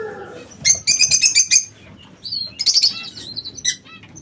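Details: Captive king quails in an aviary: a quick series of bright, high chirps in a steady pulsed run, then a second cluster of shrill twittering notes and a few isolated calls.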